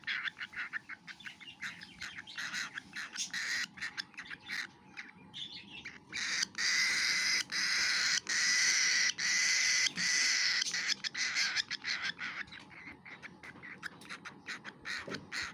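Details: Cockatiel; begging call; chick begging for food while being fed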